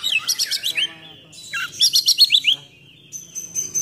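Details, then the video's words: Oriental magpie-robin singing in a heavy, full-throated style meant to provoke and train other magpie-robins: two rapid runs of bright, falling whistled notes about five per burst, then a thin sustained high whistle. "Kacer Gacor Full Nembak Isian Kasar Bikin Emosi Kacer mu"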